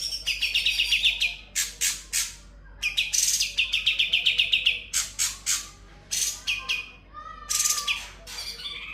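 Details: Sooty-headed bulbul singing full ngebren style, its song filled with konin, kapas tembak and kunti imitations: fast runs of high, sharp chirps about four per second, broken by harsh chattering bursts and a lower whistled note near the end.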